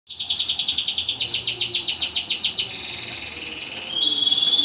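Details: Canary singing in the Indonesian 'kenari gacor' style: a fast, even trill of high ringing notes, about four per second, running into a steady buzzy churr, then a brighter, sharper sustained note to the end.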